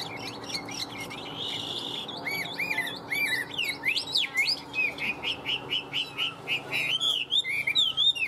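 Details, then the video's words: Chinese hwamei, a caged bird in top singing condition, delivers a rich varied song of looping whistles, sharp slurred notes and quick trills that speed into rapid rhythmic bursts, over low steady background hum. "Họat Họa Mi"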